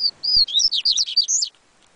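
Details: One complete phrase from a yellow-bellied seedeater, the coleiro baiano: a level opening whistle, then a quick run of high, rising and falling slurred notes lasting about one and a half seconds.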